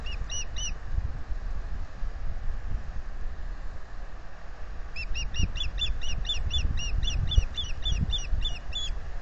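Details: Osprey on its Salt Point nest in spring 2020, calling as it offers to take its turn incubating and is turned down. Three sharp chirps open, then after a pause a long fast run of about fifteen high whistled notes, over low rumble and occasional knocks.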